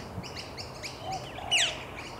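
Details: Male Australasian figbird at Hawthorne Canal Reserve, Sydney, NSW, late July 2017: a quick run of short, high chirps, then one strong, rasping downslurred call, over faint low-pitched background noise.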